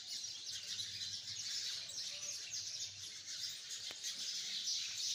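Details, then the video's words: Dense chattering of hundreds of sparrows perched in a tree, with quick high chirps piling on one another in an irregular, restless stream and a brief click near the fourth second. "chirping of hundreds of sparrows in the tree || chirping of beautiful sparrows || sound of sparrows"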